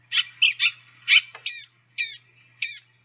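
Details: Blue-gray Gnatcatcher calls, likened to tiny people screaming: short nasal, whining buzzy notes, about seven in three seconds, each brief and high with a harsh, layered quality, separated by clean silence.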